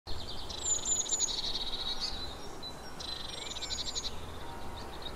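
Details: Eurasian blue tit giving two high, fast buzzy trills a second apart, each with thin whistled notes above, over a steady low background hum.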